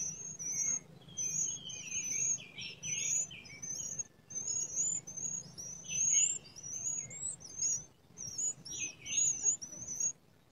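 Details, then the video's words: Wild Blood-breasted Flowerpecker calling steadily with high, thin, squeaky notes, strung together in bursts of several every second or two. Lower chattering from other birds overlaps, over a faint low hum. "tledekan gunung"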